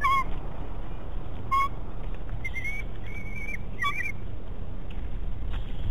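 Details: Young bald eagle at a nest watched by a nest camera at Big Bear, 5 May 2018, squeeing excitedly before entering the nest: thin, high whistled squeals in short bursts, some rising, over a steady loud low rumble of wind or camera noise.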